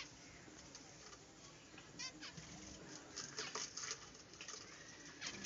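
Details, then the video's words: Budgerigars in a small aviary chatter and warble in quick, scratchy bursts of high chirps and clicks, several birds overlapping, the chatter swelling and fading every second or so. "বাজরিগার পাখির ডাক | বাজরিগা পাখির ডাকাডাকি"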